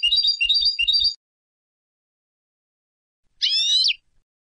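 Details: Goldfinch from Istanbul, Turkey, singing a burst of fast, rich twittering phrases, followed after a pause by one long, nasal, buzzy note.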